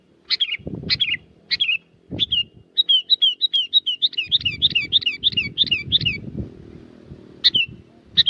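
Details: Sooty-headed bulbul in Subang, West Java, Indonesia, singing busily as a lure: spaced bubbly phrases, then a fast run of about a dozen rapid whistled notes, then more single phrases, with low thumping in the background.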